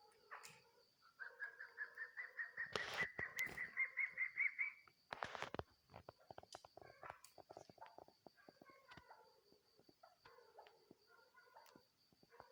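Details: Female chukar partridge calling; a long accelerating chain of clucking notes rising in pitch, broken by loud handling thumps, then softer scattered clucks amid clicks and a constant high whine.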